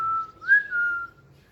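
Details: Young Indian ringneck parakeets, caged, playing with each other alongside an Alexandrine parakeet; one clear whistled note held steady, swelling and rising briefly in the middle before sliding back, lasting about a second in a quiet room.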